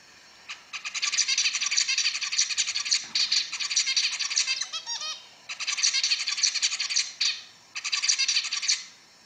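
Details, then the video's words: Zebra finch singing in bouts of rapid, buzzy, nasal notes, each burst lasting a couple of seconds and separated by short pauses, over faint background hiss. "تغريدة طائر الزيبرا ررررروعةThe tweet of the zebra bird is amazing"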